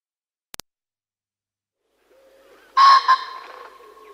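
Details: Common pheasant giving two loud, harsh, grating bursts in quick succession, followed by a fading hum. Two faint clicks sound earlier over near silence.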